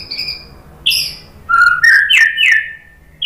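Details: White-rumped shama song for training: a high steady whistle, a buzzy note, then a low whistle stepping up into a loud rich falling phrase, with brief harsh high notes between.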